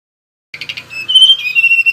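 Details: Whistling male mangrove blue flycatcher: a quick stuttering buzzy start runs into a bright sustained whistle that dips and wavers lower. The phrase is cut off at the end, with a faint low hum underneath.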